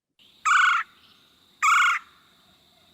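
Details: Red-bellied Woodpecker calling in a backyard setting: two loud, rolling harsh notes about a second apart, each a churring burst with a strong harmonic band, over quiet background.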